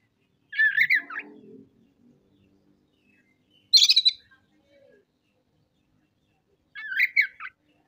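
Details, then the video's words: Oriental magpie-robin (kacer) unloading its 'isian' repertoire of harsh 'materi kasar' material: three separate short phrases a few seconds apart. Two are warbled chirps, one is a high scratchy rattle, and a faint low murmur follows the first. "MATERI KASAR.KACER BONGKAR ISIAN. KACER GACOR"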